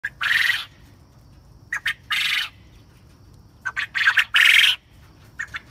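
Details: Coturnix quail crowing: harsh, buzzy bursts, each about a third of a second, introduced by short clipped notes, in two phrases a couple of seconds apart, with a final trailing stutter of brief notes.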